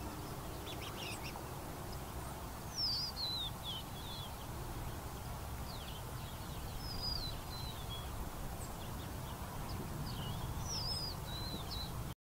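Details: Northern harrier at Boundary Bay Regional Park, Delta, British Columbia, Canada; thin, high, descending whistled calls repeated about every four seconds over steady low wind and distant traffic rumble.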